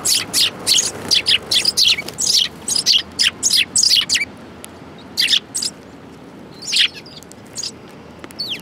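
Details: Sparrows feeding together at a Tenmangu shrine, 22 January 2018: a quick rhythmic series of loud chirps, roughly three per second, then a quieter stretch with a few isolated chirps.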